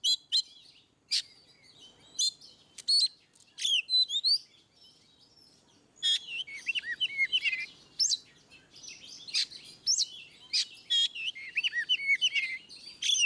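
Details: Oriental magpie-robin ngeplong song for prompting reluctant birds; a long varied stream of sharp whistles, rising and falling slurs, and dense rapid warbling that grows busier and more continuous in the second half.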